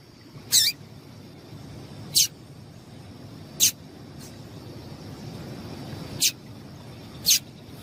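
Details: Calls of a female double-collared seedeater, said to get males singing: five short, very high, clipped chip notes, irregularly spaced one to two and a half seconds apart, over faint low rumble.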